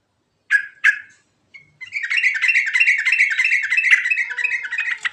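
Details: Yellow-vented bulbul, natural rolling song with varied phrases used as a lure: two loud bubbly notes, a pause, then a long fast rolling run of chirpy, buzzy notes repeated for about three seconds.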